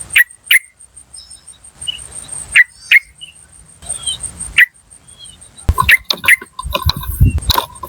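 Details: Lure sound of a wild yellow-vented bulbul: crisp 'cuk' notes roughly once a second at first, then a dense, noisy cluster of rapid notes and rustling toward the end, a high steady hum behind.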